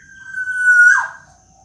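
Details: Young local black-naped oriole's plaintive wail: a single long, pure, level whistle that breaks at the end into a brief harsh falling squeal, loud and close.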